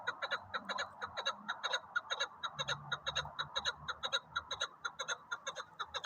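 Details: Chukar partridge, named as a hunting partridge, calling in a steady run of short clucking chuck notes about two per second, each note with a buzzy, ringing edge, over a low background hum.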